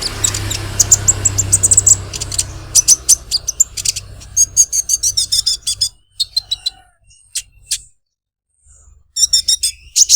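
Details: Olive-backed sunbird giving a unique, melodious 'krecek krecek' song: rapid bursts of high, sharp chirps and trills, some separated by short pauses, with a low hum underneath during the first three seconds.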